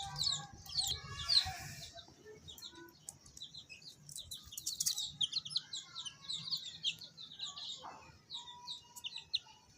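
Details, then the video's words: Baby chicks chirping in a group, a dense chorus of short high peeping notes overlapping continuously, with some brief louder peeps near the start and faint clicks and knocks underneath. "Baby chicks chirping sounds"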